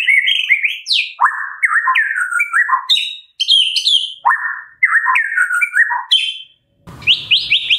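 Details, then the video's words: White-rumped shama, morning song used to stimulate captive birds to sing: rich, varied whistled phrases with sweeping rising and falling notes and rapid warbles, short pauses between phrases, and a brief burst of noise near the end. "Pancingan Murai Pagi WHITE-RUMPET SHAMA 100% AMPUH buat Pancingan murai batu pastol agar bunyi"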